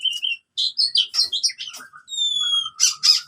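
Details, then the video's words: Oriental magpie-robin fighting song for training birds that have gone quiet: short whistled notes and chirps, a long pure descending whistle, then two harsh bursts. "KACER TARUNG COCOK UNTUK KACER MACET BUNYI"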